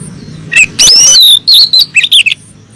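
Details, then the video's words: Call of a female oriental magpie-robin summoning a male: a short high note, a loud scratchy burst, then several wavering whistled syllables in quick succession. "Pancingan siulan kacer betina memanggil jantan"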